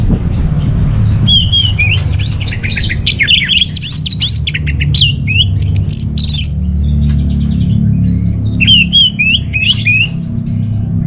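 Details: Caged orange-headed thrush singing, used as lure and master song to train birds: a dense, varied run of sweet whistled phrases and sharp chips without pause, then a few looping whistles, with a constant low background drone.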